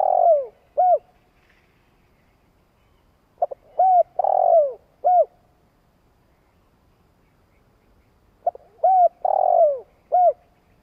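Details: Long cooing from a spotted dove kept as a decoy: repeated phrases of short arched coos surrounding a drawn-out descending note, separated by gaps of several seconds of quiet.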